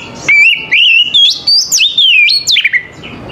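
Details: Oriental magpie-robin singing in the morning. Loud clear whistled phrases slide up and down, with sharp upward sweeps and short warbled notes in a quick series. The background is quiet.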